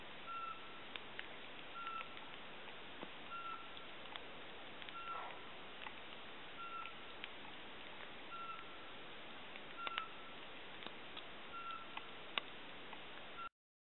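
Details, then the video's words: Eurasian pygmy owl at Žaškov, Dolný Kubín, Slovakia, gives a series of short, clear, mid-pitched whistled notes, about one every one and a half seconds, over a steady background hiss. "Glaucidium passerinum - Kuvičok vrabčí"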